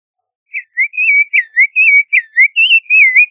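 Creamy-bellied Thrush song: a steady string of about ten short, clear whistled notes, slurred up and down, a little over one per second, with nothing else heard.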